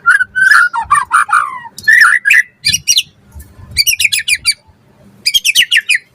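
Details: Energetic white-rumped shama song meant to coax other shamas into singing: loud mid-pitched whistled phrases opening, followed by rapid rattling trills of sharp high notes in quick series, with brief pauses between bursts.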